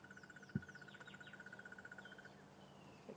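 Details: At sunrise on 15 February 2015 on an African safari drive, with rain moving in, a Crested Barbet gives a long, even, mid-pitched trill like a stick in a spinning bicycle wheel, lasting about two seconds, with faint whistles from other birds and a thump.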